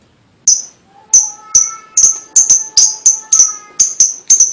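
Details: Lovebird song used as a lure to stimulate young birds: sharp, high chirps repeated about every half second after a silent start, with faint steady whistled tones held underneath.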